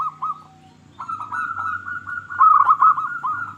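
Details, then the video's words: Local zebra dove singing as a lure to encourage quiet doves: a couple of soft coos, then a continuous run of rolling, bubbling cooing notes that grows louder near the end over a low background hum. "Perkutut Lokal Gacor Suara Paling Ampuh Untuk Pancingan Burung Perkutut Agar Bunyi"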